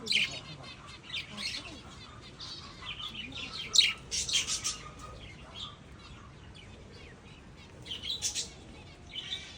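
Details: Lovebirds chattering in shrill, high chirps and squeaky bursts, coming in rapid clusters with louder flurries near four seconds and again around eight seconds, over a faint steady background hum.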